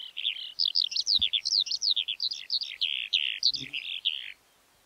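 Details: Skylark giving a quick, jumbled run of high warbled and chirped notes, several per second, some slurred downward, ending abruptly after about four seconds; a soft low knock is heard in the background.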